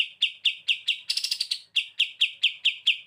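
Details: Olive-winged Bulbul singing actively, kept as a tutor bird for training other birds: rapid, evenly spaced sharp chips about four per second, broken once by a brief buzzy rattling burst, then the chips resume.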